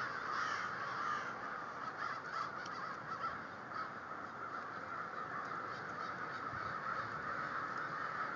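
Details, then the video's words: Large gathering of crows in a continuous wall of raucous overlapping caws, no single bird standing out, the chorus holding steady throughout with occasional slightly louder calls. "Lots of crows"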